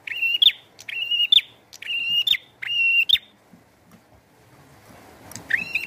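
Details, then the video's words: Bar-winged prinia in energetic song with rain: four loud, buzzy, rising-then-level notes in quick succession, roughly one per second, a pause with rain patter, then a fifth note. "Burung Prenjak Gacor & Air Hujan"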